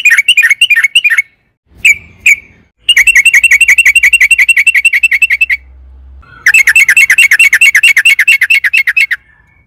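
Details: Rapid 'ropel panjang' singing of a sooty-headed bulbul, offered as a lure for caged birds: dense trains of quick bright chirps broken by abrupt silent gaps, then resuming at a fast even pace.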